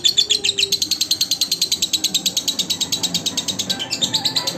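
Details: High, rapid lovebird chatter used as a training song for other lovebirds, with evenly spaced squeaky notes pouring out several per second and a short change in tone near the end.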